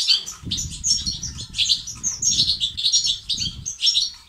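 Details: European goldfinch song meant to stimulate males to sing and become active: dense, fast twittering and tinkling phrases, high and bright, with buzzy trills in continuous bursts, over a low rumbling background.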